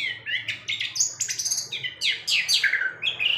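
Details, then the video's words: Long-tailed shrike still singing at night and flicking its tail, pouring out a quick, varied run of high chirps, squeaky whistles and scratchy notes, changing phrase every half second or so, in an otherwise quiet setting. "CENDET Lesus. MLm tetap masih gacor."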